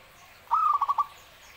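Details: Zebra dove singing actively: one short phrase, a rising slurred coo that breaks into four quick, clipped trilled notes, lasting about half a second against quiet background.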